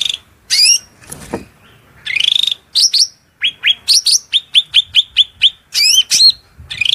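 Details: Shrill cucak rante training song with borrowed songbird phrases: buzzy rising notes, then a fast string of sharp chirps, about three per second, ending in looping whistles; a brief low thump midway.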